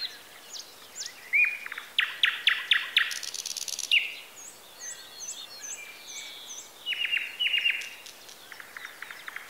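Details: Birdsong chorus from Bessarabia, Ukraine, captured on a Zoom H4n: several birds trading bright chirps, buzzy rattling phrases and clipped whistles, with loud bursts around the first few seconds and again near the end, quiet natural background.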